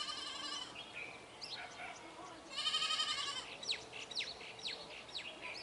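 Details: Brahminy starlings in a flock give a loud, buzzy, harmonic note midway, then a run of sharp downward-sweeping chirps from several birds over soft background hiss.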